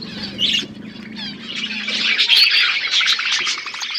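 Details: Budgies chirping while eating food: dense, overlapping high chatter of quick chirps and warbles that builds to a steady busy stream, with a low hum early on.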